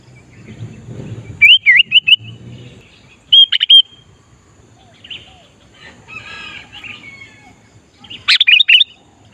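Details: Sooty-headed bulbul song used to lure wild bulbuls: three bursts of rapid bubbling whistled notes, with soft fainter chatter and low rumbling between them.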